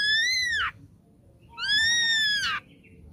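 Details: Ashy drongo lure song meant to provoke a reply: two long clear whistled notes, each gently arching and then dropping steeply at the end, separated by a short pause.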